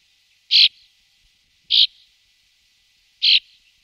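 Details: Brambling, one of two pairs watched in the afternoon and evening, giving short, harsh buzzy notes, three in about four seconds at an uneven pace, over a faint steady hiss.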